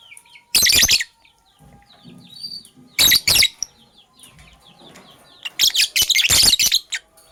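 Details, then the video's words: Sky blue opaline and cobalt lovebirds in the morning give loud, harsh bursts of shrieking chatter in three bouts, with softer scattered high chirps between them. "Lovebirds Chirping Sounds"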